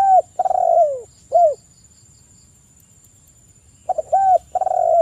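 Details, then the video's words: Spotted dove calling a rival: the close of one phrase with a long falling coo and short final note, a pause of over two seconds, then a fresh phrase of stutters and an arched coo; high whine persists. "TEKUKUR GACOR suara merdu - (PANCINGAN TEKUKUR) MEMANGGIL LAWAN BUNYI EMOSI MANGGUNG GACOR"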